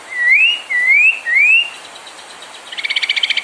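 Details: ['Three clear rising whistles from a white-rumped shama, sung to provoke other birds, followed by a fast buzzy stuttering trill.']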